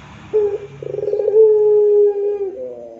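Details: A gacor puter pelung dove coos in the rintihan manner, a short low hoot, then a pulsing trill melting into a long even moan that dips slightly lower at the very end.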